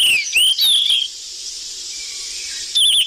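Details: Noisy lure call of the sikatan emas flycatcher: a quick run of bright whistled slurs, falling then rising, followed by a long hissing gap before another wavering high whistle at the end.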